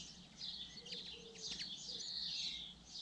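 Common linnet giving a fast, high twittering song of dry chirps and brief buzzy trills, running continuously over a faint low background hum.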